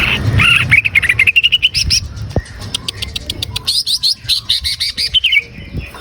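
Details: Green leafbird singing to coax a caged bird into song: an opening string of quick rising whistled notes, then dense bursts of high chirps and sweeping trills that continue steadily throughout.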